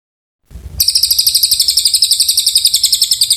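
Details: Oriental white-eye song, used as a training tutor for magpie-robins: a fast, steady run of high, bright twittering notes, about four per second, starting after a brief silence and continuing without pause.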